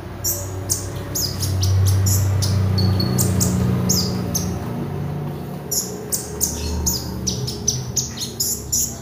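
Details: Energetic magpie robin used as lure audio for training birds: dense, fast run of sharp high chirps, over three per second, with occasional short whistles above a loud low hum.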